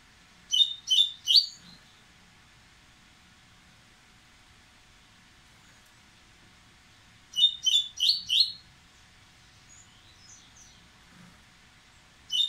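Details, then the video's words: An agitated, impetuous Dubois's seedeater gives short bursts of three or four sharp, high chipping notes separated by long pauses, against a quiet background. "Coleiro Baiano Ardesiaca, impetuoso, aprontando"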